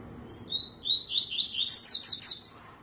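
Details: Tui-tui singing: a short high whistle, then a run of clear whistled notes that climbs into fast, bright, slurred phrases repeated rapidly before stopping, over faint low background hum.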